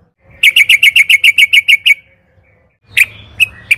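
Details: Sooty-headed bulbul recording meant to set caged birds singing: a rapid string of about eleven sharp, regular chipping notes, followed after a pause by a few scattered chirps.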